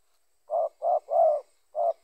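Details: Spotted dove call, of the kind used as a lure to draw other spotted doves during bird trapping: four low, mellow cooing notes, the third longest, with a short pause before the final coo. The background is otherwise quiet.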